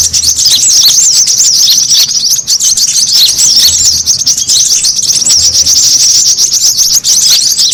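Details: Brown-throated sunbirds calling noisily as a bird-attracting lure: an unbroken stream of shrill, thin twitters and quick chirps layered on one another.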